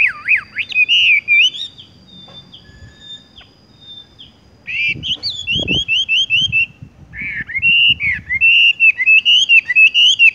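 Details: Horsfield's bush lark singing in a rolling style: a looping whistle, a pause with faint tones, then quick buzzy notes and a steady run of bright whistled phrases, with brief thumps.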